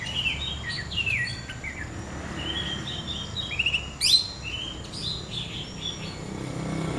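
Orange-headed thrush singing a rich, varied run of short whistled and chirping phrases, high and fast-changing, over a low background rumble.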